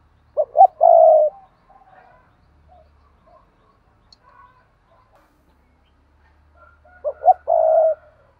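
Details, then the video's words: Spotted dove giving its paired cooing: two short rising notes followed by a longer, level, mellow coo. The phrase comes near the start and again about six seconds later, with quiet between. "Tiếng cu gáy đôi"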